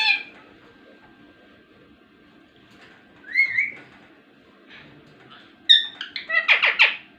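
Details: Rose-ringed parakeet kept as a talking parrot: a soft whistle, then a gliding rising note, followed by a quick run of harsh, chattering syllables near the end.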